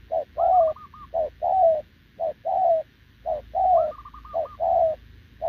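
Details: Spotted dove, a short-legged wild-caught bird, cooing continuously with a decoy on 6 November 2024. Paired coos, one brief and one drawn-out, repeat roughly every second. A higher rolling trill from another dove cuts in twice.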